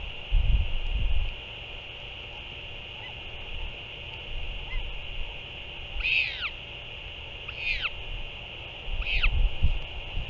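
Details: Northern royal albatross parent and chick during a feed on 6 April 2024; three separate descending, arched squeals about a second and a half apart, set against steady high hiss and bursts of low wind rumble.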